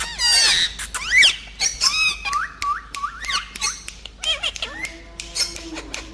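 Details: Group of pet talking parrots giving a busy run of harsh squawks, upward-sweeping whistles and squeaky notes in quick irregular bursts.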